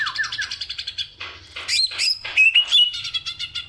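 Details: Kept greater green leafbird singing as a tutor for other songbirds: quick descending chirps, then harsh noisy bursts and sharp high whistles, followed by a rapid stuttering trill.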